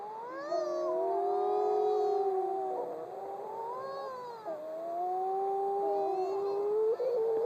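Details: Wedge-tailed shearwaters, underground-nesting birds, recorded at a point on Maui, give long, eerie, moaning wails that rise and fall, several birds overlapping in a continuous baby-like crying chorus.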